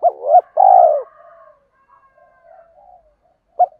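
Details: Spotted dove, used to stir up decoy birds, gives a brief note and one long purring coo, followed by faint trailing sounds and a single short note at the end.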